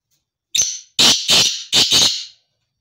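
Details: Black francolin giving its grating call: one brief harsh note, then four strong buzzy rasps grouped in two pairs, the whole phrase under two seconds, with no other sounds around it.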